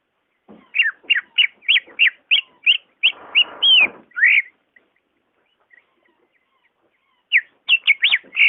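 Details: Natural greater green leafbird song, meant to set off a caged bird that is slow to sing: a regular series of falling whistled notes, a short harsher rasping patch, a pause, then more quick whistles.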